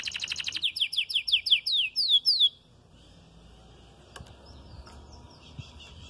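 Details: Red frosted canary in early moult, singing: a brief high rapid trill, then a run of loud descending slurred whistles at a steady pace, then quiet with faint distant chirping.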